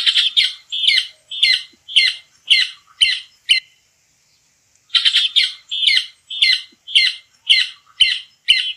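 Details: Rufous cacholote singing in the sertão: loud, harsh, rhythmic chattering notes repeated about twice a second in a long series, pausing briefly before resuming.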